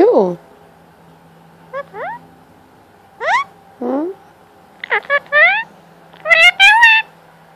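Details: Pet male Indian ringneck parakeet chattering indoors at his favourite cuddle time, seeking attention and petting: a string of short rising, swooping harmonic utterances spaced through the clip, some quick and clipped, others drawn out.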